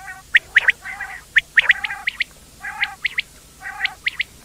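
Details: Several quail trade crisp high chirps in pairs and triplets, alongside softer low nasal, buzzy notes, with brief pauses between groups.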